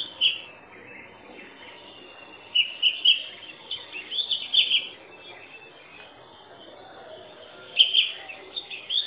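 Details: Song of an Oriental magpie-robin, with sweet whistled phrases arriving in scattered groups, the longest quiet gap lasting several seconds before a final flurry of bright, slurred notes.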